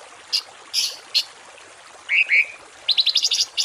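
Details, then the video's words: Rough 'tembakan kasar' masteran phrases from a songbird, recorded for tutoring home and contest cage birds: a few sharp high chips, two slurred rising whistles, then a quick staccato trill of clipped notes. "MASTERAN BURUNG TEMBAKAN KASAR || Suara Masteran kasar langganan juara"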